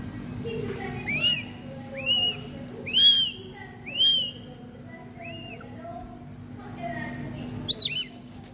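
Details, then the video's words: A young northern goshawk in falconry care is hand-fed. It gives high, arched, slightly hoarse squealing notes about once a second while a person speaks quietly over a low hum. "Baby Goshawk feeding"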